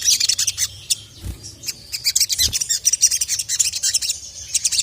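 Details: Agitated sogon (ruby-cheeked sunbird) calling to a male, delivering quick, high-pitched chattering chirps in irregular clusters with short gaps, plus two soft low thumps in the background.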